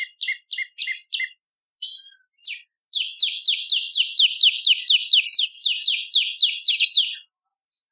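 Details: Bar-winged prinia song used to lure birds: a few paired scratchy notes and separate chips, then a steady rapid train of sharp descending chirps with occasional high buzzy overtones.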